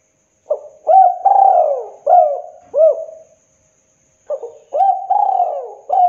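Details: Spotted dove, a local bird used to stimulate other doves into calling, repeating rich hollow coos in a rolling phrase, a pause of about a second, then starting the phrase again.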